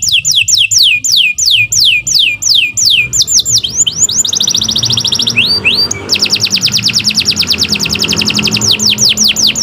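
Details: Canary singing a long song for song-training: rolling series of descending high notes, a shift into a very fast buzzy trill, then a return to spaced sweeps, with a low background rumble.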